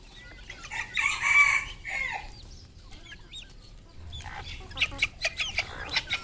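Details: Red junglefowl on a farm in Cambodia giving a loud harmonic crow of about one and a half seconds, a rich, strained and slightly wavering call, while small birds chirp and twitter faintly around it.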